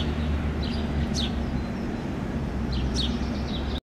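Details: Young house sparrow searching a lawn for food in Helsinki, Finland, June 2013: a few short, sharp, high chirps in pairs, half-masked by constant deep road noise.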